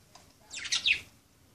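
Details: A single budgerigar at play gives one short, scratchy, high chirp lasting about half a second, in a quiet indoor setting.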